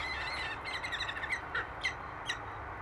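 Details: Peregrine falcon pair mating on a ledge at their Derby Cathedral nest site, 1 March 2012; short squeaky harmonic calls come in a rapid series about every half second over steady city traffic roar.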